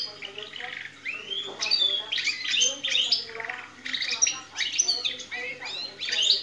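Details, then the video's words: Canary bred in captivity, singing in the manner of a goldfinch; dense, high twittering phrases with rising sweeps, buzzy trills and squeaky chirps, delivered in quick varied bursts. "canario cantando jilguero internacional"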